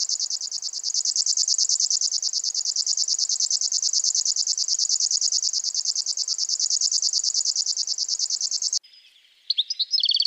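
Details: At a Russian forest edge, a river warbler (Locustella fluviatilis) sings its insect-like song, a long, dry, high-pitched pulsing buzz, very fast and even, with a few brief notes from another bird at the end.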